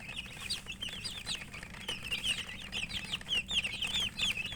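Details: Murgi chicks chirp as they eat: dense, high, whistled peeps, some looping up and down, tumbling over one another from many birds, plus faint pecking clicks.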